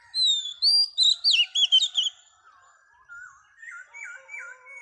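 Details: Oriental magpie-robin female singing to stimulate males. Loud high whistles and quick slurred notes come in a two-second run, then softer, lower wavering whistles follow, rising and dipping.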